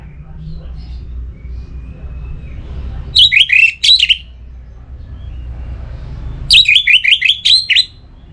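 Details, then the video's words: Orange-headed thrush in breeding condition from northern Bali, singing to challenge a rival: two short volleys of rapid, high, scratchy-whistled notes, the second a run of about seven repeated chirps, amid steady low hum. "ANIS MERAH Gacor Pancingan Birahi & EMosi Burung || Kicau memanggil lawan"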